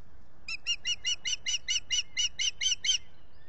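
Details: Wild osprey pair mating at their lakeside nest at Salt Point at dawn, 9 April 2021, nest camera: about twelve loud, clear, slightly harsh chirps repeated rapidly, roughly five per second, against a quiet low background hum.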